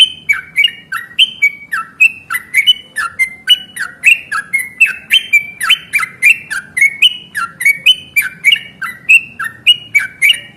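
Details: Fighting yellow-vented bulbul, played as a lure to provoke other birds into replying, delivers loud rasping chirps that rise and drop in pitch, repeated roughly a hundred times a minute in an irregular, excited run with no other sounds.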